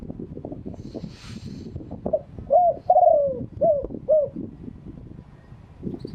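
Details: Spotted dove of wild stock in Thailand crowing freshly: a run of five short mellow coos midway through, set against steady low rumbling and clatter that partly masks them.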